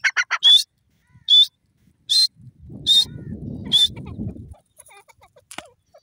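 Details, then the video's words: Grey francolin (teetar) giving a few quick harsh notes, then sharp high squawks spaced roughly one second apart, with a low rumbling noise underneath partway through. "teetar ki awaz, gray francolin bird sound"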